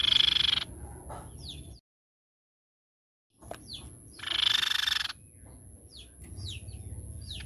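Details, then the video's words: Silver-eared mesia lure recording: short, sharp, high notes that drop in pitch, mixed with two dense, buzzy chattering bursts about a second long, over a faint constant high whine. "PANCING BUNYI TEPUS PIPI PERAK"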